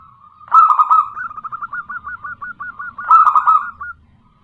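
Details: Local female zebra dove calling to a male as a lure. A loud burry coo burst leads into an even string of short staccato coos, then a second loud rolling burst and a trailing coo.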